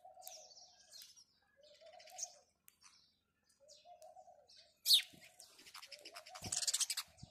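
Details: Scattered house sparrow chirps on a morning, thin and high, coming in sparse groups before a louder burst of rapid chirping near the end, with low, even dove coos repeating in between.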